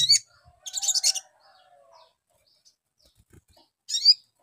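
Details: Sogon lure recording meant to get a young bird to answer quickly: a short high chirp, a burst of rapid high twittering, then another sharp chirp after a pause, with faint low hum beneath.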